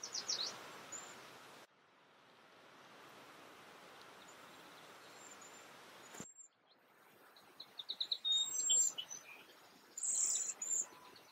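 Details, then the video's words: Several Cedar Waxwings at Léon Provancher marsh giving soft, very high, thin lisping whistles in brief strands, with louder chirping notes from other birds in the marsh joining near the end. "Jaseur d'Amérique, chant / Cedar Waxwing, song"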